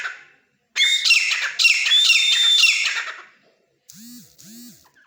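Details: Captive grey francolin, caught in the wild and raised at home, giving a rapid run of loud shrill ringing notes, several in quick succession, then silence followed by two short low wavering sounds in the background.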